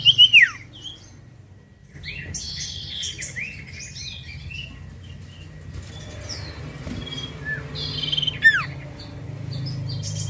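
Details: Common iora, played as a lure: a loud falling whistle opens the passage, and softer chirps and short twittering notes follow over low background hum. A second sharp, sweeping whistle comes near the end.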